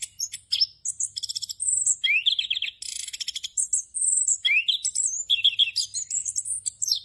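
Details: Anis kembang (orange-headed thrush) delivering a continuous ngerol song used as a master recording for training birds: bright whistles, buzzy rattles and rising slurred notes tumble in quick succession, over a soft steady background hum.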